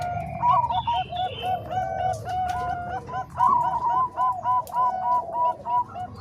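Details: Combined Bangkok and Cemani Kolbuntet perkutut (zebra dove) voices, meant as a master recording for training doves. Quick rolling coos with repeated clipped notes run in rhythmic bursts of about three per second, several doves overlapping.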